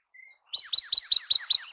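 A Dark-eyed Junco sings a fast, dry trill of about eight high, sharp chips, run together at roughly ten per second, after a faint thin whistle.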